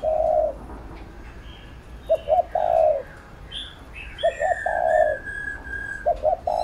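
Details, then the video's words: Spotted dove cooing as a training call for a decoy bird: low drawn coos with short double lead-in notes, while a high steady whistle from another bird runs alongside. "Cu Gáy THÚC GÙ Siết Bổi Đẳng Cấp/ Kích Mồi Tập Bổi Căng Đét"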